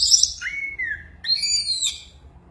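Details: Orange-headed thrush in a frenzied singing bout, giving a high burst, then a clear falling whistle and a long sweeping phrase with overtones.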